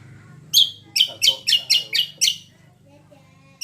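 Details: Greater green leafbird singing as a lure recording meant to prompt other birds to reply: six loud, harsh, buzzy chip notes in quick, slightly irregular succession, with a faint low hum beneath.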